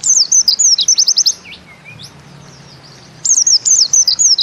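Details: Jumbled high twitters and swooping notes from a pleci (white-eye), bustomi style, fade into a quiet gap before another burst of rapid, scratchy chirps returns at the end.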